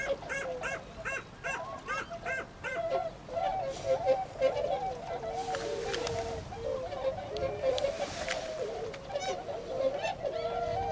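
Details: A winter flock of tundra swans at Ohotaden pond, Azumino, Nagano Prefecture, Japan, 22 February 2013, heading out to forage in rice paddies; a quick series of ringing honks opens, then a steady murmur of many calling birds.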